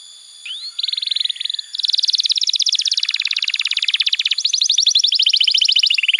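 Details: Vigorously singing canary, used to prompt young canaries and silent canaries to sing: a short rising note, then rapid high trills that jump between pitch levels every second or so without a break.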